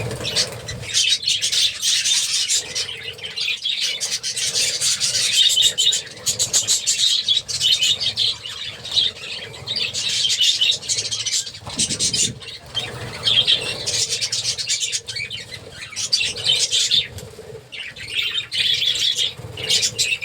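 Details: A busy colony of about 30 pairs of budgerigars keeps up a constant high chatter of chirps, squawks and warbles.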